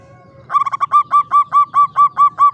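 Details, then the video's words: Caged local Javanese zebra dove, klowongan singing style, kept in a classic Mataraman cage: after half a second of quiet, a steady run of about ten clear, evenly spaced, hooked coos at mid pitch over a soft low hum. "SUARA PERKUTUT JAWA KLOWONGAN"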